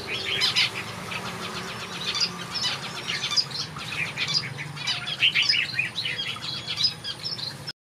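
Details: A backyard aviary full of finches gives dense, high-pitched twittering: clusters of sharp chirps and brief trills that keep overlapping, over a soft low background drone.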